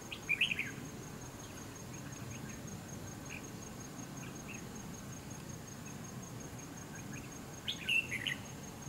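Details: Red-whiskered Bulbul at a fighting trap with decoy bird no. 279, displaying with fanned feathers; a quick bright chirped phrase at the start, a long quiet gap with faint ticks, then another warbled burst near the end, over a steady high whine.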